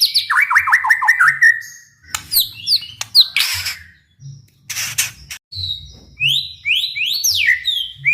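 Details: White-rumped shama singing to provoke rival shamas: opens with a fast series of repeated downslurred whistles, then scratchy bursts and bright rising and falling whistled notes.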